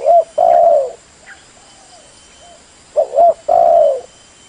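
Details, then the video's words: Spotted dove of the blorok or leopard type, cooing as a lure call meant to make other doves answer quickly. Two low, mellow phrases: a brief coo, then a longer drawn-out coo. Softer coos sound between them over a faint steady high whine. "SUARA PANCINGAN BURUNG TEKUKUR BLOROK /LEOPARD SUPAYA CEPAT NYAUT IKUT BUNYI"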